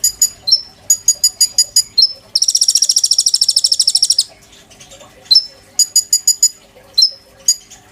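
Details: Oriental magpie-robin kept in a cage, singing busily as a tutor for white-rumped shama, sujud style: clusters of high ticking notes with slurred whistles, then a long, dense two-second buzzing trill, and more ticks and whistles.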